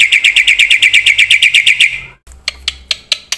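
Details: Black-winged myna singing busily with full fill-in phrases, a recording made to prompt and tutor other birds. It opens with a rapid ringing trill, then after a pause gives several sharp, spaced clicks.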